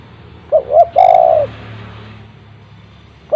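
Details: Spotted dove at home calling as a prompt for silent doves: two short rising notes and a long flat-falling coo, then a lone short coo at the end, against steady low background noise.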